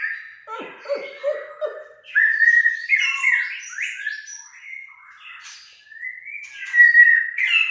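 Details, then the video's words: White-rumped shama, an Aceh bird, singing a varied phrase: low warbled notes near the start, then clear whistled slides and bright chirps climbing and falling, with pauses between bursts. "Murai Batu Aceh"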